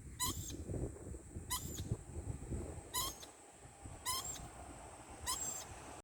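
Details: Unexplained lorikeet noise: five clipped, squeaking bursts with a strained, reedy tone, spaced one to one and a half seconds apart, over a persistent low background rumble.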